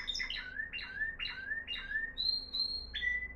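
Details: A Moroccan timbrado canary, a top 2021 bird singing discontinuous-style song, gives a fast series of rolling, falling notes, then a sustained high whistle and a lower trill, bright and metallic.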